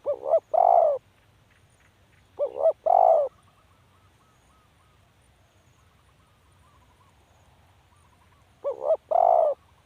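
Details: Spotted dove cooing in low two-note phrases, a short wobbling note and then a sustained one. Two phrases come close together, then after a long pause a third. Faint soft chirps sound in the gap.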